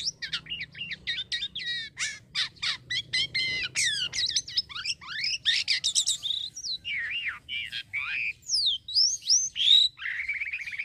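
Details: A Black-winged Myna (jalak kapas), a kept songbird, sings a fast, unbroken jumble of clear whistles, rising and falling slurs, and harsh chattering notes, several phrases each second, with nothing else heard.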